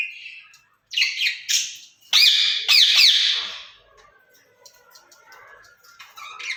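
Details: Pair of caged ringneck parakeets talking to each other in Urdu or Hindi. Rapid scratchy chattering syllables and two loud ringing squawks, then quieter low chatter fading toward the end.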